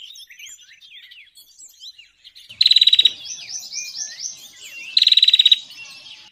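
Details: Bar-winged prinia call played as a lure for trapping. It gives two loud bursts of rapid, sharp repeated notes about two and a half seconds apart, with softer high chattering and twittering around and between them.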